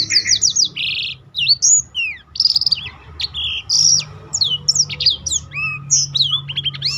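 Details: Black-throated canary singing vigorously as a training model for other cage birds, with a run of slurred high whistles, a buzzy burst, then sharp upswept and downswept notes in lively phrases.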